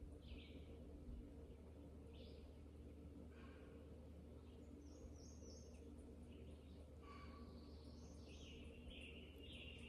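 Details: Melodious song of a Red-eyed Vireo outdoors, compared to a robin's summer song but much shorter: short separate whistled phrases spaced a second or two apart, with faint high chips behind and a constant low hum.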